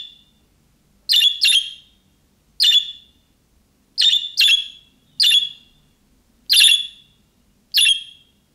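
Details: Budgerigar calls meant to make a pet bird respond, said to be the calling style of young birds: harsh, buzzy chirps with a high ringing tone, given singly or in quick pairs at irregular intervals over a clean, quiet background.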